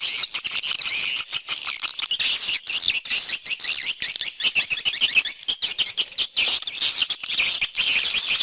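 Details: Swiftlet external sound recording: continuous high twittering with buzzy chirps and short upward-sweeping whistles, broken by brief gaps, many overlapping rapid notes.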